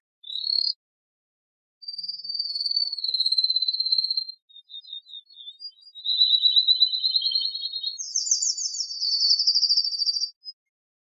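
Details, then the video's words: Malinois canary singing pure, rolling whistled tours: smooth steady tones that step gently downward, then a faster bubbling trill, and a final higher, rapidly pulsed rolling phrase lasting about two seconds, over silent background. "Canário Malinois"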